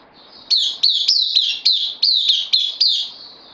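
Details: Bulbul in captivity, newcomer on loan, 12 September 2020: a tidy series of about eight crisp, downward-sliding high notes at an even rapid pace, over a faint high whine.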